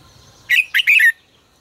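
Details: Red-whiskered bulbul delivering a single short 'ché căng lửa' phrase for song training: three rapid, loud whistled notes, slurred and rich, lasting well under a second.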